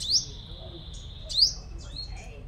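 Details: Five-coloured sunbird used as a decoy in Đồng Nai, Vietnam, repeating a piercing upward-sweeping whistle twice, each trailing into a sustained thin tone, with softer chips between.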